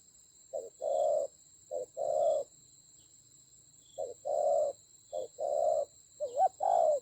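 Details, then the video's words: Decoy spotted dove in a hard-fought fight in Vietnam's Central Highlands, 19 October 2020. Short-then-long coo pairs come in bursts, with a pause midway. A wavering, bending note precedes the last coo. A faint steady high whine is in the background. "Thổ khủng.trận chiến ác liệt có thần rắn thổi còi"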